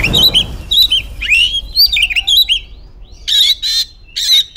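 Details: An Oriental magpie-robin hen calls a male to stir him into singing. Harsh rasping bursts mix with wavering, slurred whistles, with a low rumble of background noise at the start.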